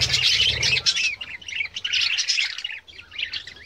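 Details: Several budgerigars chatter together in fast, overlapping high chirps and warbles, with a brief low rumble at the start.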